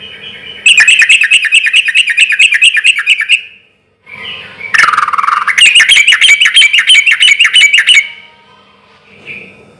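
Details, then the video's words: Loud persistent sooty-headed bulbul song, relaxed in rhythm, used to make other bulbuls respond quickly: two long bursts of rapid, evenly pulsed chattering notes separated by a short pause and a lower buzzy note. "trucukan gacor suara keras irama santai sampai teler mantab buat pancingan trucuk agar cepat nyaut"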